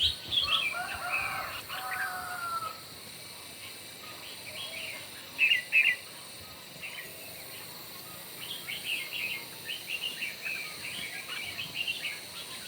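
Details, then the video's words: Red-whiskered bulbuls competing in morning song: an opening chirpy phrase, two loud sharp notes mid-way, then scattered quick warbled chirps over steady hiss. "Chim Chào Mào Hót Đấu Buổi Sáng Cực Căng"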